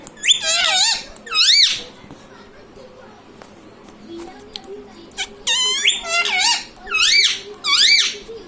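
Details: Talking parrot repeating "mummy papa"-style words: about six bright, nasal, up-and-down voice-like syllables in bursts, with a quiet pause in the middle and a low background murmur.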